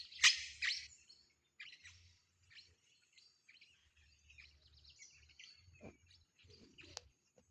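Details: Small parrots (loritos) on farmland near the coast give a burst of loud, harsh screeches, then scattered fainter chirps over a low background rumble; hungry flock seeking a nearby cornfield, leaving as people approach; a hawk heard in the background.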